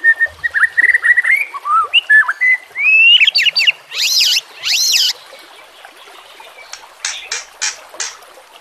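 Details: White-rumped shama in a recording meant to train young shamas: wavering whistled notes rising in pitch, then loud buzzy rasping bursts and sharp clicks fading into quiet.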